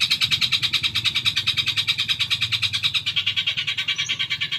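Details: Rapid, evenly spaced raspy chatter of a long-tailed shrike, used as a lure for caged birds to answer. A low background rumble runs throughout.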